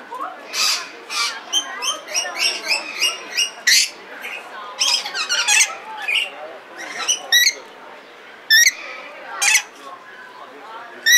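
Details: Red lory in the Belgrade zoo, Serbia, 2022: sharp, piercing shrieks rising out of busy chattering, with several loud screeches spaced a second or two apart and quieter scratchy notes between them.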